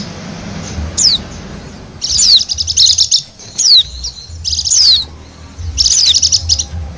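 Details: Bali wild white-eye lure song: separate bursts of fast, high twittering trills, each often led by a steep falling whistle, spaced by brief quiet gaps roughly every second or two.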